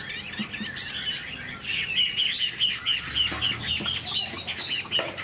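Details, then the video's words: Caged Chinese hwamei, a bird kept for its singing, giving a run of loud, varied whistled phrases repeated rapidly at a fairly high pitch, with faint clucking from a chicken and other bird chirps in the background. "Hoạt Họa Mi"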